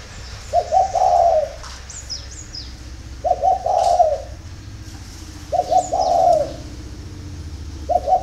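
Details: Spotted dove cooing in the early morning: low, mellow three-part phrases, two short notes then a longer drawn coo, repeated about every two and a half seconds, with faint high chirps of small birds behind.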